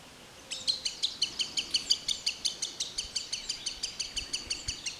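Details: Green sandpiper in forest: a rapid series of sharp, high ticking notes, about three per second, starting after half a second and running steadily to the end, with soft background hiss.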